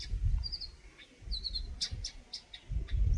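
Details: Eurasian nuthatch calling: short high chirps around 0.5 and 1.4 seconds, some in quick paired or tripled notes, with scattered sharp clicks and low rumbling background noise.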